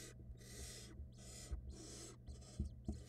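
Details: Barn owl family at the nest during a rapid prey hand-off from male to female to nestling, filmed by an online nest camera. Repeated breathy, rasping hisses alternate with short pauses, and soft thumps and scuffles sound from the nest below a steady hum.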